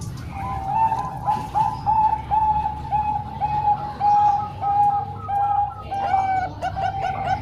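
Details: Zebra dove song from a mix of three Bangkok-type birds and one local, for training young doves. Clear, evenly paced coo notes repeat about every half second at a steady pitch, ending with a brief higher chatter.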